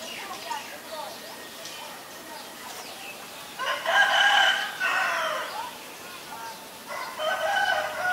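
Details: Asian barred owlet calling in loud, harsh, harmonic bursts of chattering notes, a long one lasting over a second midway and another near the end, with quieter fainter notes between.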